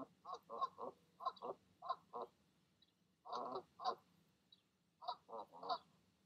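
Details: Goose parents calling their goslings to jump from the nest one evening: clear bursts of rough, nasal honking notes in groups of two to four, separated by brief pauses.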